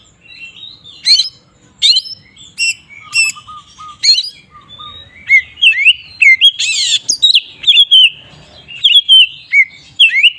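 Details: Magpie-robin ngeplong song, used as a lure to make rival magpie-robins agitated. Varied sharp whistles and chirps, a few low flat whistled notes, and a harsh buzzy burst among a fast run of slurred whistles.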